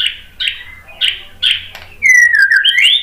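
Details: White-rumped shama song used to provoke another bird to sing: short bright notes around the upper-middle range repeated roughly twice a second, then a loud sustained whistled phrase sliding downward and rising again.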